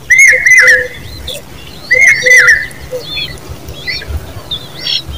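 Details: Common babbler chicks begging: two loud bursts of harsh, slightly downslurred chirps with bright overtones, each lasting about half a second and roughly two seconds apart, then fainter high chirps in the background.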